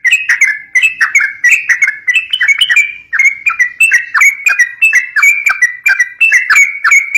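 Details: Yellow-vented bulbul, fighting-style singing meant to prompt young birds: quick liquid chirping phrases rolling on continuously, with a brief dip in volume near the middle.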